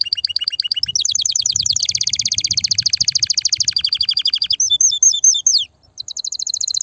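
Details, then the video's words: Loud male canary song to excite females toward mating: a repeated two-tone chirp opens, then long rapid rolling trills, a few sharp downslurred whistles, a brief gap and a final quick trill. "تغريد كناري هائج , لتجهيز الاناث على التزاوج , و بناء العش فورا"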